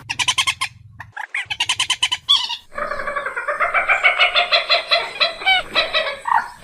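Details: Moorhen, known locally as dungkhor: a short burst of rapid clucks, then a long, steady series of nasal, pulsing notes repeated about three times a second, slowly rising in strength.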